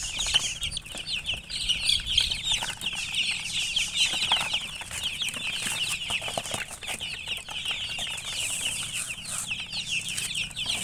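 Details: Baby chicks peep nonstop in a thick, high-pitched chorus of quick falling notes, against steady rustling and the flutter of wings.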